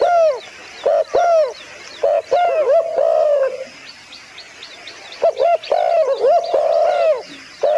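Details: Dove calling with clusters of short, arched, overtone-rich notes and wavering drawn-out tones, broken by a quiet stretch with faint high chirps in the background.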